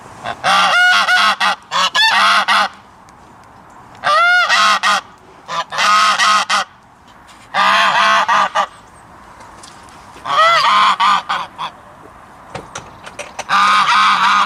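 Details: Goose calling with a long series of loud, brassy honks. They come in clustered bursts of several notes each, roughly every one and a half to two seconds, with brief quiet spells between.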